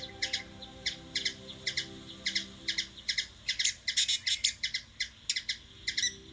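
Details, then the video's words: Hummingbird calling in Washington DC, USA: quick bright chip notes, often doubled, repeated steadily and thickening into a denser chattering run midway before easing back to spaced chips. "Hummingbird | Bird noise"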